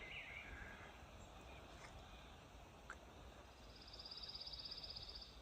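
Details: A Pine Warbler sings from pine treetops on a farm on a spring morning, 15 April 2023, giving a faint, dry, even trill of rapid high notes lasting over a second, over steady outdoor noise with a brief other bird note earlier.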